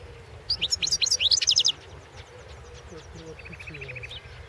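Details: Singing European goldfinch recorded for the 2016 world championship in goldfinch song: a bright, rapid series of high tinkling and chattering notes over about a second, then a softer repeated trill, faint background hum.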